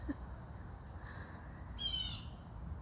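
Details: A single harsh, high-pitched squawking note, about half a second long, from a Blue Jay hidden up in the trees, heard while laundry dries outdoors, over a steady high hiss and low outdoor rumble.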